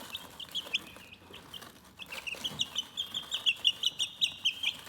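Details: Chickens chirping calmly: a steady string of thin, high peeps, repeated several times a second, growing more regular and louder toward the end.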